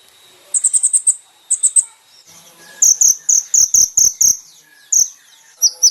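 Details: Brown-throated sunbird song for use in training caged birds: short quick runs of high chirps, then a slower series of loud, evenly spaced sharp notes, roughly three per second, against a quiet background.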